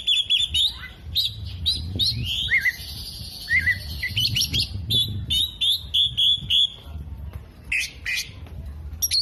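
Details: Oriental magpie-robin singing a mimicked medley of hummingbird, other birds and lovebird: varied whistles, low warbled dips, scratchy phrases and a run of rapid high chips, with low background rumble.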